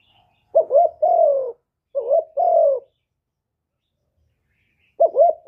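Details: Spotted dove in the hạp bổi voice, full calling, urging and cooing song recorded live in silence; two low phrases, short wavering note plus longer falling coo, then a pause before a third phrase begins.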